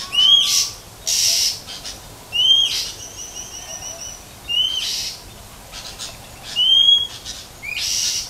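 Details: Female Oriental magpie-robin, wild in nature, whistling to excite males: short upward-sliding whistles repeated roughly every two seconds, each paired with a soft chip, alternating with harsh hissy bursts.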